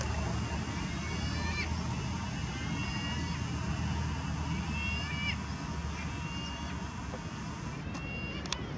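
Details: Lesser black-backed gull at IJburg, Amsterdam, the Netherlands, 28 September 2020, gives nasal, slightly drawn-out calls every second or two over a steady low rumble of traffic or engine noise.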